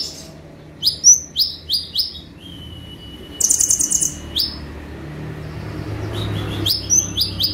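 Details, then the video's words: Caged sunbird in active 'tembakan' song for training other birds. Quick upswept chirps come in short runs, broken by a thin level whistle and a brief high rattling trill, then more sharp chirps. "KONIN GACOR FULL TEMBAKAN"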